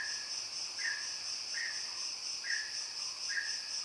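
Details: Mountain peacock-pheasant calling with a series of brief, clear, downslurred whistles spaced about one second apart, half buried in a constant shrill drone of insects.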